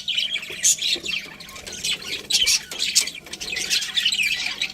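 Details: Pet budgies chatter and squawk, a steady wash of rasping high chirps with louder scratchy bursts every second or so.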